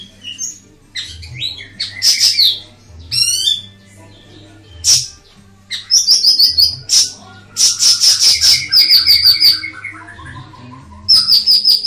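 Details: Master recording of ashy tailorbird song: scattered sharp high chips and slurred phrases build into long, fast, ringing trills of evenly spaced bright notes, with a low steady hum behind.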